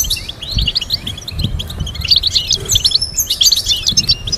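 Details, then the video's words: European goldfinch song for training goldfinches to sing complex melodies: rapid, dense twittering of short chirps and trills, with high thin notes layered above, continuous over four seconds; faint low thumps underneath. "Teaching goldfinch to sing complex stimulating melodies"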